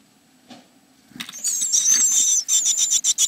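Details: Inside a great tit nest box, 29 April 2017: after a faint knock, a sudden loud, shrill, high buzzing chorus of calls starts and runs on, pulsing in quick bursts over a low hum.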